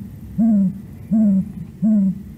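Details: Great grey owl, one of Idaho's owls, a very large owl of meadows and forest openings that hunts small mammals, gives three deep, soft hoots about two-thirds of a second apart, each short and slightly falling at the end.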